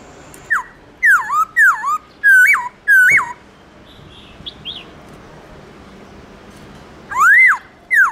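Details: Morning wild-style song of a black-throated laughingthrush: a run of five swooping whistled phrases, a pause with faint soft chirps, then two more loud rising and falling whistles.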